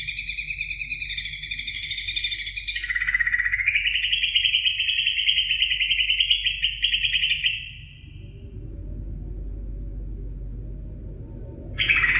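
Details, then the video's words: Greater green leafbird song used as a training recording for other birds: a dense, buzzy high chatter, then a long unbroken warbling trill that ends abruptly, followed by low background noise and a final burst of song. "suara masteran cucak ijo gacor"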